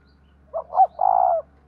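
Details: One full coo phrase from a spotted dove of the 'giọng đồng thổ' style: a soft short note, a louder rising note, then a sustained, slightly pulsing coo about half a second long, over a faint low hum.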